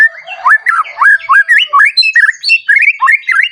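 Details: White-rumped shama song meant to stir other shamas to sing at once. Rapid, evenly spaced looping whistles, about four per second, each sliding up and down in a lively chattering run.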